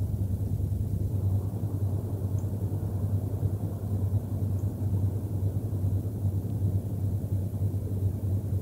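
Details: A continuous deep rumble of engine-like noise with a flat hiss above it, and no calls from any animal.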